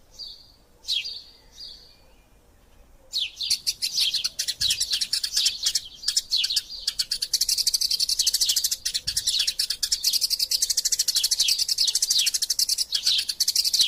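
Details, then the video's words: Fighting Eurasian tree sparrows, Passer montanus, recorded as master sound for magpie robin training. A few isolated high chirps, then an unbroken, dense, scratchy chatter of rapid overlapping chirps lasting to the end. "Burung Gereja Tarung Gacor Passer Montanus passeridae Eurasian Tree Sparrow erasia suara masteran"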